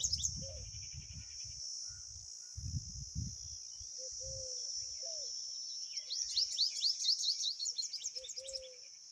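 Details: Pipit parent bringing food to babies in the nest after one fell out; low rustling and soft repeated mid notes give way to a fast series of high sharp chirps near the end, over a constant high drone.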